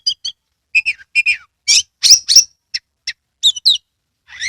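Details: Kacer in a cage singing a lure song to spur other birds into song: paired chirps, whistled downslurs, then loud harsh high squeaks and scattered short notes ending in a rising buzz.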